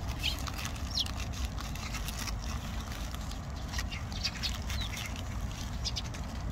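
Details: At Olympic Park, Eurasian tree sparrows give many quick, high chirps and twitters spread across the recording, some in small bursts, against a continuous low rumbling background.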